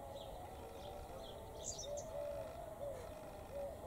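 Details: Wild bird in Jericho, Palestine, described as calling in a noisy voice; a string of steady mid-pitched whistled notes, some slightly wavering, with faint high chirps scattered above against a constant background hum.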